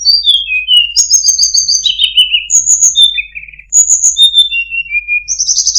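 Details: Sunda robin (tledekan gunung) delivering a very melodious song with good cengkok: clear descending whistle series, a long level whistle, trilled notes and a buzzy rising phrase at the close, continuous and loud.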